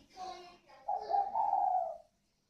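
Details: A pair of spotted doves, còi vang and thổ xịn types from northern Vietnam, kept at a Ba Vì bird farm. A brief murmur comes first, then one long, drawn-out throaty coo that fades out.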